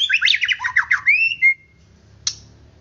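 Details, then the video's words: White-rumped shama singing to make other birds agitated and vocal: a jumble of quick warbled notes, then a rising whistle and a short flat whistle, followed by a single sharp click. "Murai Batu Akan Emosi dan Cepat Gacor"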